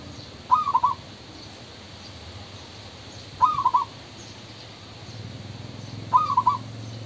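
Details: Male spotted dove repeating its cooing phrase three times at intervals of roughly two and a half to three seconds; each phrase a short, soft, stuttering series of hollow notes, over a low steady background rumble.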